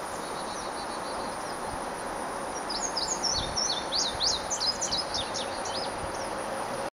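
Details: Indigo Bunting on 1 July 2009, from a boardwalk near a pond at Ocmulgee National Monument, giving a burst of high, sharp, quick notes, many in pairs, over a steady high insect drone and outdoor hiss; Eastern Kingbird and Carolina Chickadee also present.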